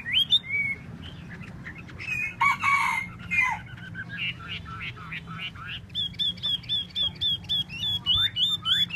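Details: Chinese hwamei (hoa mi) in tail display, singing varied whistled phrases: a brief rich burst of notes, quicker slurred calls, then a steady run of repeated sharp upslurred whistles about four per second.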